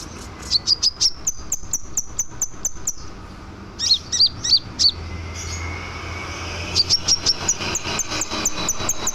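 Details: Scarlet minivet in full lively song, used to teach other birds: quick runs of thin, high whistles, then a cluster of lower slurred notes, and another fast run of high notes, with a low rumbling background hum.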